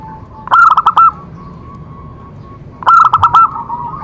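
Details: Song of a zebra dove, used to prompt other doves into singing. Two loud, stuttering runs of rapid coos are separated by a faint, even cooing tone about two seconds long.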